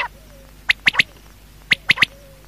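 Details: Quail (batair) calling at night: two sharp three-note phrases, each a quick trio of bright clipped notes, the phrases about one second apart over a quiet background.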